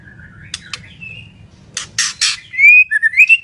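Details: {'caption': 'White-rumped shama of the Medan type singing very actively: soft whistles, sharp broadband bursts, then clear rising and falling whistled notes that grow louder toward the end, over a low background hum.'}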